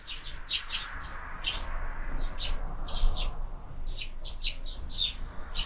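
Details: Several sparrows feeding at a feeder fixed to a window in the evening, uttering short sharp chirps spaced unevenly over steady low background rumble.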